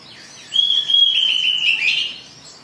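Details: Oriental magpie-robin in an agitated singing state, used to provoke other birds to sing: a long sustained whistled note around a steady high pitch, slightly wavering and dipping near the end, lasting about two seconds.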